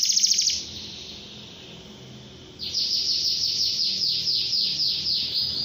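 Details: Long canary song meant to prompt young canaries to sing sooner: a brief buzzy trill, a quiet gap of two seconds, then a sustained fast series of high downslurred notes repeated several times a second.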